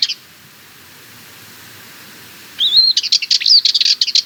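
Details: Sardinian warbler song: after a long quiet stretch, a fast burst of scratchy rattling notes begins with a brief whistled slur, chattering quickly for about one and a half seconds; a single short note at the very start.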